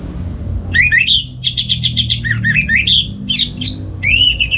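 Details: A kept orange-headed thrush in North Bali sings its loud morning ngeplong song as a tutor for other birds: a nearly continuous run of bright whistles, quick repeated notes and scratchy trills.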